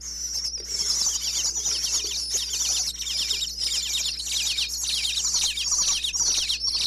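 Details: Baby bluebirds inside a Pennsylvania birdhouse chirp nonstop as parents visit with food, caught by a wireless microphone in the house: a continuous shrill chorus of rapid high chirps and scratchy notes, fluttering in intensity.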